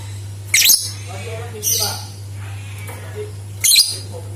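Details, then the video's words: High, scratchy lovebird chatter in three brief bursts with quieter soft notes in between, used as a lure to get other lovebirds singing; a low electrical hum runs throughout. "Suara Burung Lovebird Untuk Pancingan | Dijamin 100 % Suara Pancingan Lovebird Gacor !!"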